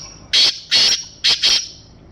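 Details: Black francolin of Sindhi breed calling: four harsh, loud rasping notes in two pairs, the first pair spaced and the second pair closer together, over quiet background hiss.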